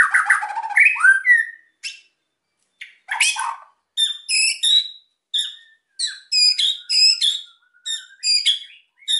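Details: White-rumped shama, named Ocean, in an energetic, emotional song meant to provoke quiet birds to sing: dense buzzy rattles opening, then a series of short bright whistled and chattering phrases separated by brief pauses.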